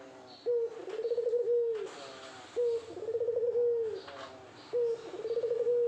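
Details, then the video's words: Spotted dove courting a female: loud, rolling coos near one pitch, each phrase opening with a sharp note then a trembling, slightly rising and falling run, repeated about every two seconds; faint higher chirps behind. "Burung Puter Gacor merayu betina"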